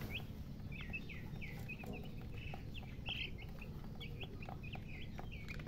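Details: Young chickens give a busy run of thin, high peeps, several birds overlapping, with constant low hum beneath.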